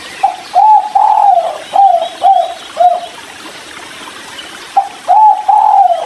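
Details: Spotted dove (tekukur) giving the 'kuk 3' style call while drinking near a river: soft, low, arched coos in a hurried run of about six notes, then a pause before a second group of three. A faint watery hiss runs beneath.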